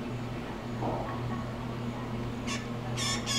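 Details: Male blue jay, appearing to address the camera, stays quiet at first and then gives three short, harsh, rasping notes near the end, with a constant low electrical hum throughout.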